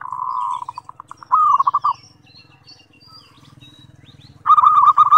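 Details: Zebra dove cooing used as a training lure: a purring coo breaking into quick notes, a louder bubbly burst, a quiet stretch with a steady low rumble, then another rapid coo series.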